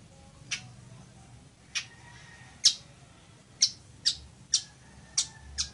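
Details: A village weaver gives short, harsh, sizzling notes, about eight in six seconds at uneven intervals, over a faint low background rumble; the song is meant for teaching other birds.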